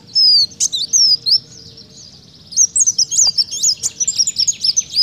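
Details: Kolibri daun singing vigorously in canary-like style: rapid, high, thin whistled notes and twisting chirps, fast trills and rising-falling slurs, delivered in two energetic bursts separated by a short pause, with a faint low hum beneath.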